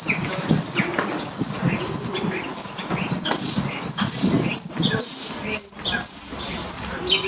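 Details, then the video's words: Common starling singing at a shopping centre, Amsterdamse Poort, Netherlands, on 7 January 2023: thin, very high whistles and squeaky slurred notes repeated about every half second, over a low rumble of town noise. "Spreeuw/Common Starling"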